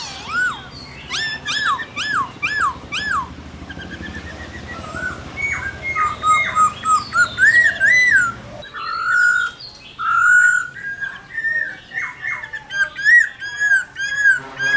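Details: Laughingthrush singing in the 'forest voice' style, a varied sequence of loud, clear whistled phrases: looping up-and-down notes, short rising slurs and a few sustained whistles, with brief pauses between bursts.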